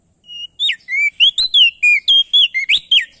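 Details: Loud male Crested White-eye from Nusa Tenggara calling to get other birds singing: a thin opening whistle, then a rapid series of rich, swooping whistled notes.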